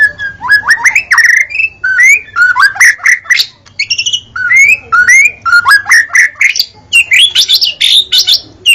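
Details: Rapid, varied white-rumped shama song from Indonesia: strings of rising whistled slurs, trilled bursts and high sharp notes delivered almost without pause.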